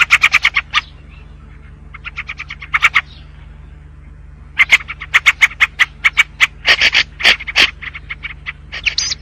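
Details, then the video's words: White-spectacled bulbul singing: bursts of rapid, evenly spaced sharp chirps, then a pause and further runs of clipped notes mixed with louder, harsher buzzy notes, over a steady low electrical hum. "تغريد البلبل السوري/بلبل أبيض النظارات/بلبل أصفر العجز/البلبل السوري الحزير"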